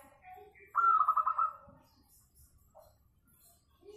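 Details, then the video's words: Local zebra dove song meant as a lure to prompt singing: a single rapid run of rolling, pulsed coos lasting under a second, with soft scattered calls and light rustling around it. "KUTUT LOKAL SUARA MERDU SEKALI, COCOK BUAT PANCINGAN MANGGUNG"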